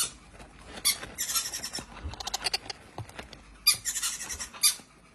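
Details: Hand-reared young quaker parakeets squawk harshly in two main bursts, each a rapid run of grating, noisy calls, with softer scratchy calls between them.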